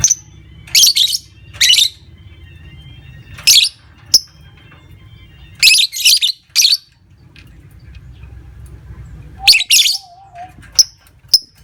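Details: Lovebird chatter used as a lure to make other lovebirds trill at length: repeated brief, shrill, buzzy bursts separated by pauses, with thin high clicks and one wavering lower whistle late on, over a faint low rumble.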